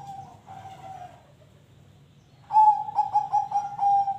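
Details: Zebra dove giving song that encourages other birds to sing: a few faint coos, a quiet gap, then a loud rhythmic string of about six pulsing, level-pitched cooing notes.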